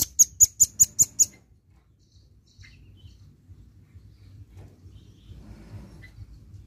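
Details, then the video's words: Red-billed malkoha singing actively, recorded as a lure sound: six sharp, ringing, high-pitched notes about five per second, then quiet with a faint low rumble in the background. "BUNYI BURUNG RAMBATAN PARUH MERAH GACOR"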